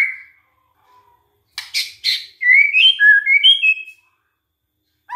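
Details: White-rumped shama song used to provoke rival shamas: a brief whistle, two harsh buzzy notes, then a series of clear, rising and falling whistled notes.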